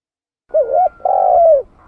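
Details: A single spotted dove phrase used as a trapping lure: a wavering short coo, a quick break, then a long smooth coo that slides lower at the close. Nothing else is heard.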